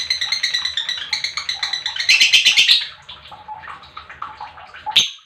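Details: Lovebird chirping used to spur other lovebirds into song: rapid, high chattering notes rise into a harsh burst, fade to soft twitters, then end with one sharp chirp.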